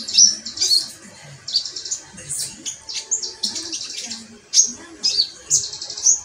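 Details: A group of metallic pygmy sunbirds giving piercing high-pitched twitters and short buzzy trills in quick bursts, with faint low voices or rumbling underneath.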